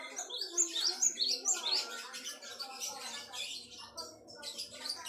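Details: Java sparrow singing, recorded as a master track for tutoring other songbirds: rapid high chirps and twitters in quick bursts, with a softer gurgling chatter underneath throughout.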